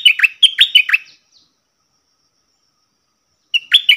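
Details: Cream-vented bulbul in active 'double' song, 18 June 2021: a string of clear, swooping chirps lasting about a second, a long silence, then the next phrase of sharp up-and-down notes beginning.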